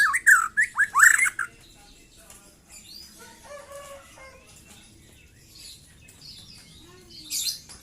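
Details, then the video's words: Young white-rumped shama, past its spotted juvenile plumage, singing: a loud opening burst of rapid, rising, ringing notes for about a second and a half, then soft scattered warbles and chirps, and a short sharp high burst near the end. "KICAU BURUNG MURAI MUDA LEPAS TROTOL"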